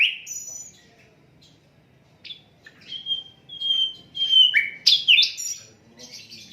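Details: Asian brown flycatcher, unedited tutor recording for songbirds: scattered high whistles separated by silence, then drawn-out steady whistled notes followed by a burst of sharp, sweeping high notes.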